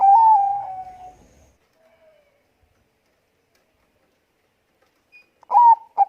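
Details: Thick-voiced Bangkok zebra dove opening with a sustained, slightly falling coo that fades into quiet, then after a long silence two short sharp coos close the recording.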